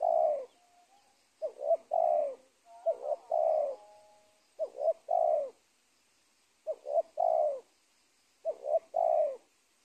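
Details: Spotted dove in a trapping setting at the edge of a teak plantation near a former cornfield, Indonesia. Five mellow phrases, short double coo followed by a long sustained coo, spaced irregularly.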